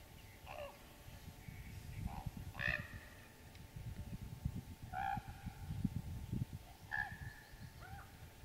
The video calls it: Raven's various vocal calls